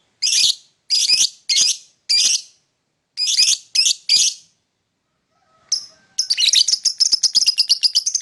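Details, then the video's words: Lovebird in the morning giving a series of loud harsh squawky chirps in spaced pairs, then a continuous rapid twittering chatter of high squeaky notes. "Lovebird singing and chirping sound in the morning"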